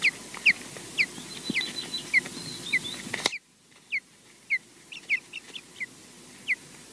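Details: Osprey pair at a nest at Loch Garten, Scotland, filmed by a live nest camera as the male arrives to mate with the female; sharp downslurred whistled chirps repeat irregularly, the sound dropping abruptly in level midway.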